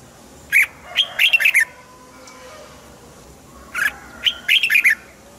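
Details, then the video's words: Red-whiskered bulbul song played to excite caged birds: two bursts of loud, rich warbled phrases around a second long, each a quick string of bright whistled notes sliding up and down, separated by quiet pauses. "นกปรอดหัวจุก | เสียงนกกรงหัวจุก ขวัญใจสายเบิ้ลอาชีพ ฟังแล้วคึกเหมือนเดิม นกไม่คึกห้ามฟัง"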